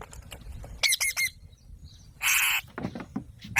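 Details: Alexandrine parakeet giving a burst of three harsh, ringing squawks, a pause, then a longer broad rasping screech and a final sharp cry, with soft clicks between.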